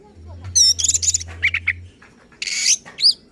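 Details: Oriental magpie-robin in agitated, provoking song, with high chattering notes, short buzzy bursts and a final clear upslurred whistle, punctuated by brief pauses.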